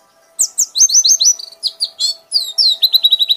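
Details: White-eye giving loud, clear, high whistled notes slurring downward, run together in quick trills and ending in a rapid evenly repeated series, over a steady faint low hum.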